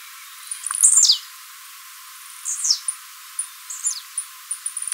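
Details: Tiziu Mateiro singing by a Blue-black Grassquit, recorded live for training. An intense buzzy falling phrase is followed by softer downslurs and a string of crisp, high ticking notes.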